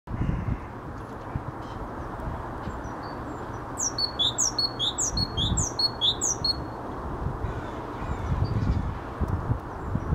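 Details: A great tit (Parus major) in Helsinki, Finland, in May 2013 sings its three-syllable song: a bright, high three-note phrase repeated rapidly about six times in a burst, over steady low rumble and wind.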